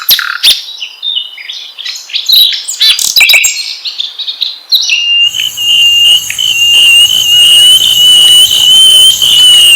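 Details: Asian brown flycatcher singing, used as a lure to get other birds singing: a varied burst of high, thin chirps, twitters and sharp notes over several seconds, then a steady high insect-like whine fills the rest.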